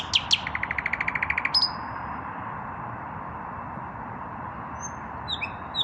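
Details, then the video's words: Male common nightingale yet to find a mate, singing at evening with his breast raised: two sharp high notes, then a rapid even run of repeated pulses ending in a ringing whistle, then near silence and faint whistles. "Наслаждаюсь вечерней песней соловья"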